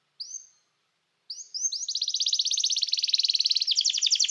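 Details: Canary singing to call others to sing, for training: one short rising note, a pause, then a long, fast, rolling trill that holds steady and gets louder.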